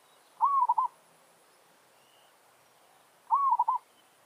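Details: Zebra dove kept in a village, challenging wild doves over territory, gives two rolling coo phrases about three seconds apart. Each phrase rises, then stutters into rapid pulses.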